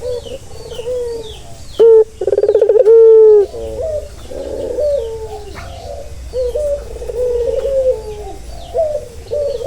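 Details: Barbary dove cooing, offered as calming audio for a stressed dove; a loud rolling trill followed by a drawn-out level coo, then softer repeated coos and chuckling phrases, with faint high chirps from other birds.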